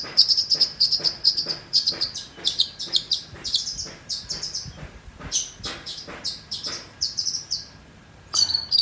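A Long-tailed Shrike sings rapid, high chattering phrases broken by short pauses.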